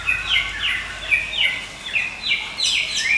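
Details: White-rumped shama from Medan, kept for luring and as master song, repeats fast downward-swept whistled notes, about one every quarter second, high and clear.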